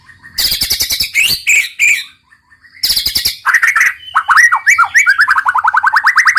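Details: White-rumped shama (murai batu) in energetic 'roll tembak' song: bursts of rapid dry rattling clicks, a pause, then more rattles running into bright whistled slurs and a fast, evenly repeated series of rising notes.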